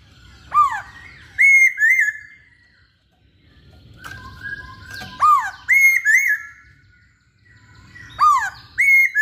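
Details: Masked laughingthrush singing actively: loud clear whistled phrases swooping down then rising, with sharp high upslurred notes, given in three bursts separated by short pauses.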